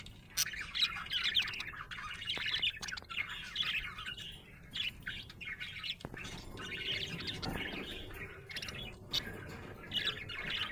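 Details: A happy budgerigar chirps busily, a steady stream of bright, scratchy warbles and quick tweets.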